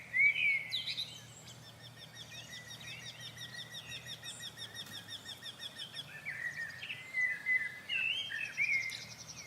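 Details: Eurasian wryneck, a migrant breeder heard around for several days, sings from a bush in the Ballons des Vosges Natural Park, with a second wryneck singing just behind; a steady run of nasal, ringing notes, about three or four a second, with other birds chirping sharply at the start and end.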